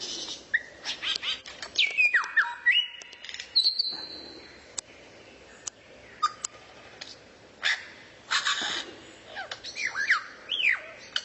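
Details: Rare songbird recorded as master training material for White-rumped shama, mixing sharp whistled notes, descending slurs and a long flat whistle with harsh rasping bursts, delivered in irregular phrases separated by short pauses.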